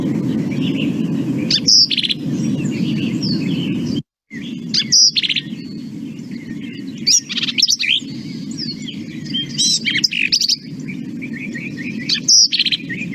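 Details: Black-capped Vireo, once on the endangered species list, sings short, emphatic phrases of quick chirpy, scratchy notes about one a second over a steady low hum; some three-note phrases are said to fit the "drink your tea" mnemonic.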